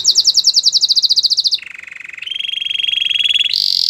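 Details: Canary song for training: a fast pulsed trill of bright notes, dropping to a low continuous roll, then a steady mid-pitched trill and a final higher roll.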